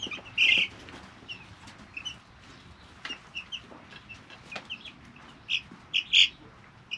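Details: Three-week-old chicks in a brooder giving scattered high, short peeps, some loud and clear, separated by quiet gaps with faint scratching and tapping in the background.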